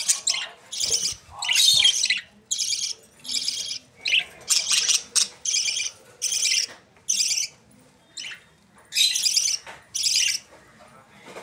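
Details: Australian parrot chicks (budgerigars) in Pakistan keep up a harsh rasping chatter of many short bursts at varying intervals, with a few faint clicks.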